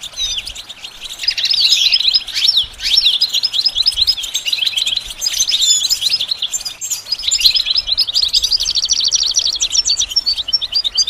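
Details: Goldfinch song used for training to sing: a continuous, fast twittering run of high, bright trills, whistles and buzzy notes, pausing briefly near the middle before resuming just as densely.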